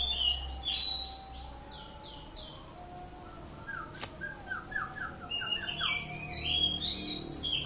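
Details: Greater green leafbird from Indonesia singing in the ngatrok style: a quick series of high, downward-sweeping whistled notes, then a rising run of short chirps and bright, varied twitters near the end, over a low steady hum.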